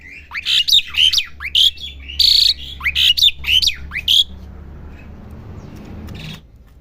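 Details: Young Asian pied starling practising its song, a quick run of squeaky rising and falling notes and one harsh buzzy note over about four seconds, then quiet background hum.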